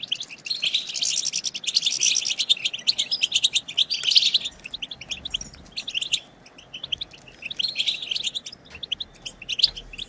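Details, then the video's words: European goldfinch twittering song, played to stimulate silent goldfinches: a dense, lively stretch of high, bright chirps, a sparser, quieter middle section, then another rich burst of tinkling notes. "هيجان خرافي وتحفيز من أول دقيقة بتبتة حسون خرافية"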